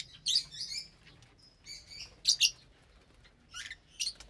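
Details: Lovebirds eating morning food together; shrill twittered chirps in bursts over a faint background hum.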